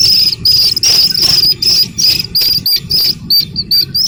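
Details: Slaty-legged crake chick, shared as a lure to attract the parent birds: high thin peeping notes, short and repeated rapidly, over a continuous low rumbling background.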